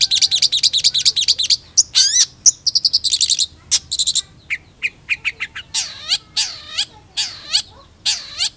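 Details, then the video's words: Energetic long-tailed shrike song mixing fast dry chattering trills, scratchy rattles and separate ticks, then a series of repeated harsh, buzzy downslurred notes. "PENTET GACOR ANTI GALAU"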